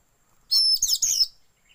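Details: Oriental magpie-robin song used as a lure to prompt kept birds to sing and open their tails, mixed with white-rumped shama filler; one brief burst of high, shrill whistled and buzzy notes lasting under a second.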